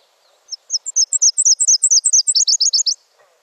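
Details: Song of a Nashville Warbler, played during a warbler identification quiz: about eighteen thin, high slurred notes, an opening string of paired chips followed by a quicker closing trill of downward-sweeping notes, with quiet background.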